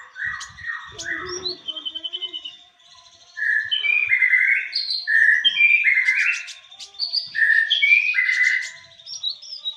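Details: Konin master song: a few scratchy opening notes, a brief lull, then a loud run of full, rounded whistled phrases with varied chirps.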